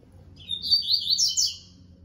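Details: Coleiro Baiano, a Yellow-bellied seedeater male paired with his female in 2022 breeding management, gives a fast high twittering phrase of slurred, buzzy notes lasting about a second, rising and dipping, with a faint low hum behind.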